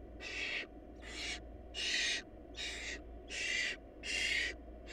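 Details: Seven broad, wheezing hiss-screeches from barn owl chicks in a food-short nest, coming in quick succession, some slightly longer than others, with a faint steady hum beneath.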